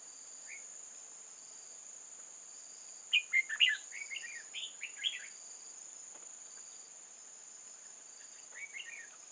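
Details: Red-whiskered bulbul decoy in a bird trap, an old-forest bird hopping about on 8 October 2018. It gives a run of loud, bright warbled chirps midway, then a softer pair of notes near the end, over a constant high-pitched insect drone.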